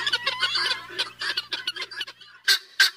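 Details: Guineafowls giving harsh, grating calls repeated rapidly, about three per second, in an irregular chattering run that thins out before two loud, separate squawks at the end.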